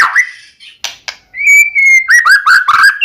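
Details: White-rumped shama lure song to trigger a rival's singing: a few clicks, then a long level whistle followed by quick falling slurred notes.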